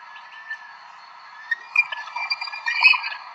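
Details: A bush stone-curlew, a bird that calls at night, gives drawn-out, wailing notes that swell louder and rougher toward the end, played back through a small phone speaker.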